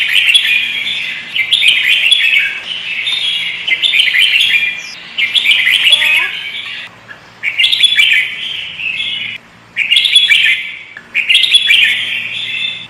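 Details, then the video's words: Sooty-headed bulbul (kutilang) in full pikat gacor lure singing: long, dense bursts of busy, overlapping chatter, each lasting one to two seconds with brief gaps, over a low steady hum. "Burung kutilang pikat gacor isian fulll"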